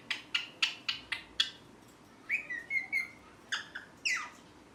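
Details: Chirping pet rose-ringed parakeet, a green ringneck: six sharp, evenly spaced chirps, then slurred whistled notes and a few rising squeaky calls.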